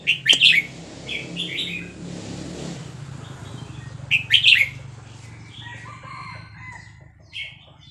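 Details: Vietnamese red-whiskered bulbul in fast linked-phrase song, excitedly singing along to a played recording of hatched chicks; loud bright warbled bursts near the start and again after four seconds, with softer chatter between and a low hum underneath.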